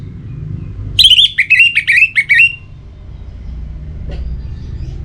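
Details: In breeding condition and calling out a rival, an orange-headed thrush delivers one bright phrase of about six rapid, wavering whistled notes lasting a second and a half, amid low background hum and a faint click.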